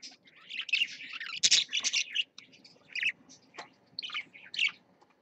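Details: Pet parakeets, one apparently teaching another the rules in their cage, chattering in bursts of high, scratchy chirps and warbles, several quick runs with brief pauses between them.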